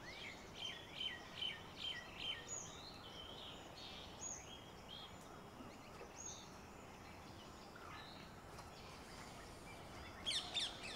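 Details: Red-vented bulbul (Pycnonotus cafer) in a garden in India gives a quick run of bright, high chirps, then scattered sharper notes, over a steady outdoor hiss.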